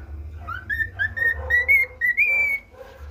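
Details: A male cockatiel kept as a pet whistles part of the national anthem it is learning: about six clear notes stepping upward, the last held and slightly rising, over a low background drone.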